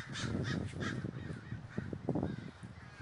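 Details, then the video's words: In Davis, California, crows massing in a flock give a quick run of raspy caws at the start, then fainter calling blends into low-pitched background rumble. "The Great Gathering of Crows III"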